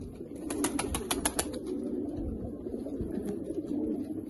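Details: Pigeons said to be rare Australian birds. A quick run of sharp claps, like wingbeats, opens the recording, then low burbling coos continue steadily underneath.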